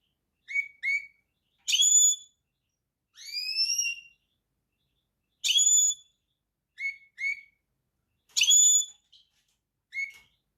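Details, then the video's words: European goldfinch singing slow, separated phrases: paired short upslurred notes, bright ringing whistles, and a rising slurred note, repeated with quiet gaps over ten seconds. "طائر الحسون # Singen Ganari Vogel"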